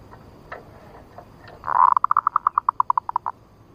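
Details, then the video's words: Female zebra dove giving a nutut ngerot call used as a trapping lure: a short harsh burst, then about fourteen clipped mid-pitched notes in a quick series that slows slightly toward the end, over faint background hiss. "Suara PIKAT PERKUTUT Betina Nutut Ngerot Ampuh"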